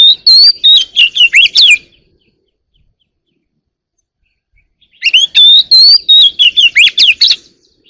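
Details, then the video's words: Oriental magpie-robin from the wild, singing early in the morning, delivers two energetic phrases of clear whistles, upslurs and clipped chips, each lasting about two seconds, separated by a three-second pause. "kacer alam | warbler sings early in the morning || Chòe than hót đấu chim rừng quá sung"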